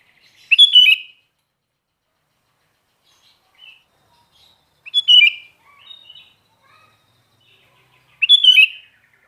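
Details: Sooty-headed bulbul (kutilang) repeating a short whistled, slurred phrase about every four seconds, three times in all, with faint soft notes between phrases and otherwise quiet surroundings.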